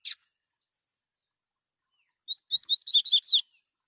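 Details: Wild double-collared seedeater, singing free in nature, phone recording: after a short click and silence, one quick phrase of six bright, high, downward-slurred whistles delivered in about a second.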